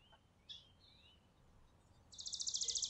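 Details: Chickadees feeding on a farm porch in winter, December 2022: a few faint, high, thin whistles, then a fast burst of about fifteen quick, high, buzzy notes near the end, over soft outdoor hiss.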